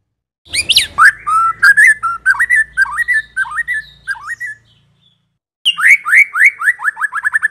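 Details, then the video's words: Loud, clear white-rumped shama song meant to lure other shamas: a high squeaky start, then a string of fluty slurred whistles, a short pause, and a fast run of descending chirps quickening at the end. "Pancingan Kicau Murai Batu TERBAIK, masteran murai batu medan"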